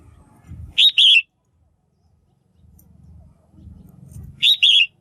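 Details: {'text': 'Caged female red-whiskered bulbul calling to stimulate males or for pairing; two bright double chirps about three and a half seconds apart over a low rumbling background noise.'}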